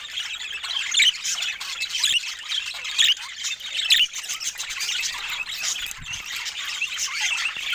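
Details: Chattering budgerigars with louder squeaky calls standing out roughly once a second over a continuous bed of high warbling.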